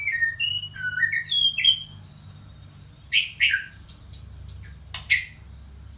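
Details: White-rumped shama singing: clear whistled phrases that slide between high and middle pitch, then a pause and loud, harsh, buzzy bursts, with a faint low hum underneath.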